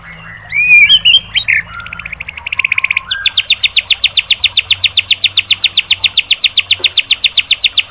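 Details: White-rumped shama (murai batu) training recording opening with slurred whistles and squawky notes, then a rapid, regular series of sharp high notes repeated about four times per second to the end.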